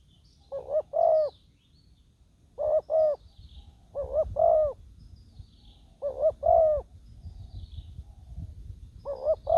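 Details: Decoy spotted dove calling on the ground to draw in wild doves. Five repeated coo phrases, each a soft double note followed by a drawn-out, gently falling coo, spaced roughly two seconds apart over quiet low rumble.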